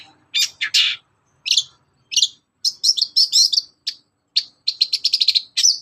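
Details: Long-tailed shrike morning song serving as a lure for other shrikes: scattered harsh scratchy bursts, then looping squeaky phrases and a rapid stuttering trill of high notes at the end.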